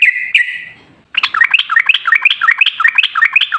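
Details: Sooty-headed bulbul singing actively in a long unbroken run, played as a lure to set other bulbuls singing; one sustained whistle, a pause, then rapid bubbly slurred notes repeated about three times a second.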